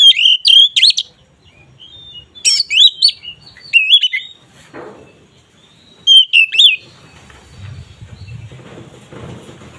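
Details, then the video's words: Oriental magpie-robin in kacer ngeplong song meant to raise mating drive: short bursts of quick whistled notes in groups every couple of seconds, with a brief rustle and low background noise near the end. "Suara BURUNG KACER Ngeplong ini sangat ampuh untuk menaikan Birahi kacer"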